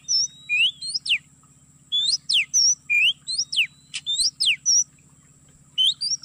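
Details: MP3 lure of Oriental magpie-robin song for trapping in an oil palm plantation: loud bursts of sharp down-slurred whistles mixed with level and rising notes in repeated phrases, over a steady high-pitched tone and low buzzing hum.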